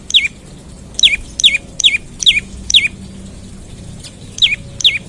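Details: Morning calling of an olive-backed tailorbird, meant to trigger song in other tailorbirds: a quick series of piercing, downslurred notes, briefly pausing before resuming.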